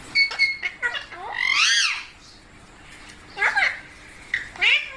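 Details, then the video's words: Parrot producing natural calls; short screechy notes followed by a long rising-falling squawk, a pause, then two more harsh screeches. "Parrot Natural Sounds Compilation | Parrot Sounds |Baby Parrot Sound"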